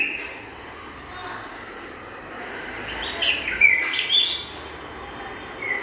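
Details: Garden nest being readied by a pair of bulbuls. Soft, quavering whistles swell in the middle, with a few brighter liquid notes, over a low steady background hum.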